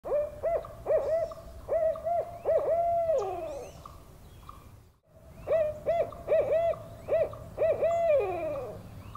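An owl gives two quick bouts of mid-pitched, hollow hoots, each a run of short notes ending in a longer, wavering, falling hoot.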